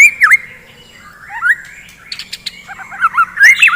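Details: Morning singing by a white-rumped shama to stimulate fighting birds; a dipping whistle, soft rambling notes, then a rush of chattering, looping whistles toward the end.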